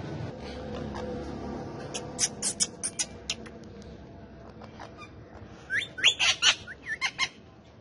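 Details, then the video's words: Talking male ringneck parakeet, a household pet among other parrots, makes a quick stream of clicking, chattering syllables, then a louder burst of squeaky, bending, speech-like sounds near the end. "Cute Talkative Parrots Speaking And Dancing So Lovely"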